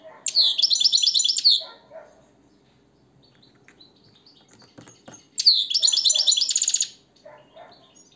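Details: European goldfinch indoors delivers two rapid twittering phrases of repeated bright notes, the second ending in a buzzy rattle, with soft chirps, faint wing flutters and a quiet room hum between.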